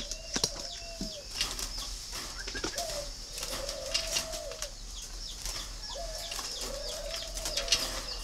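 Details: Spotted dove with red bill and yellow legs, kept at a dove breeding farm in Ba Vì, Vietnam: soft, level, slightly falling coos repeated about every two and a half seconds over a steady high-pitched hiss, with scattered clicks.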